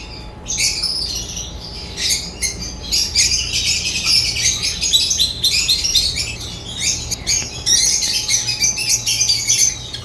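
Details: African lovebirds chirping continuously, a busy stream of sharp, high squeaky chirps and short squawks overlapping throughout, with a faint steady hum in the background.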